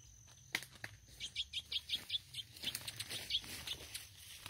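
A Chestnut-bellied Seed-Finch gives a quick, even series of high, clear notes, about five per second, over faint background hiss.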